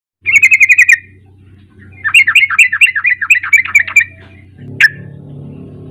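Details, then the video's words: Sooty-headed bulbul song played to lure a young bird into singing: a quick run of about eight bright repeated notes, a pause, then a longer chattering series of warbled notes and one sharp closing note, over a steady low electrical hum. "Pancingan KUSUS trucuk bahan agar mau bunyi"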